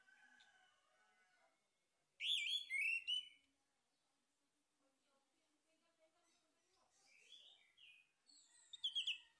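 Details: Male orange-headed thrush lure song: faint warbling at first, then a sudden loud cluster of sharp, rich whistled notes, a quiet stretch, and renewed varied phrases closing with a strong twittering burst.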